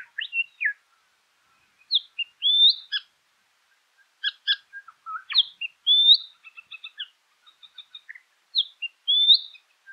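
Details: Southern scrub-robin in scrubland near Meningie East, South Australia, recorded on 1 August 2021. Rising whistled calls repeat several times, mixed with sharp chips and a fast series of thin repeated notes from other birds. There is no background noise.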